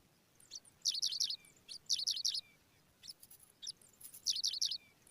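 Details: Pipit nestlings being fed by an adult: bursts of high, thin, rapid chirping cheeps in clusters of several notes, repeated about once a second, over quiet background.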